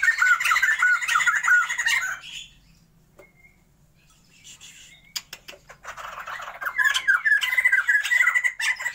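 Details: A breeding pair of captive Sumatran laughingthrushes opens with clear repeated whistled notes and chatter, falls silent for about three seconds, then resumes with a rising, harsh cackling chorus.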